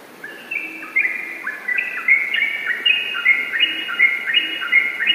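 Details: A yellow-vented bulbul delivers fast, continuous 'ropel' singing, starting softly and building into loud, rich warbled whistles in tumbling, stepwise phrases repeated over and over.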